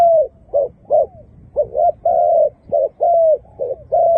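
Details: Repeated soft coos from a Malaysian dove, short bubbling notes mixed with longer steady drawn-out ones, delivered in an uneven rhythm about every half second against faint low rumble.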